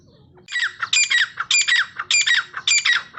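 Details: Grey francolin, known locally as dakhni teetar, calling continuously for use in training birds: loud, harsh, ringing phrases of several rapid notes, each phrase repeated about every half second after a brief quiet start.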